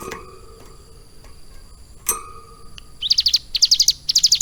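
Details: Caged ciblek gunung prinia with lovebird-style singing; after knocks and thuds, three short bursts of rapid, high, buzzy notes close the recording.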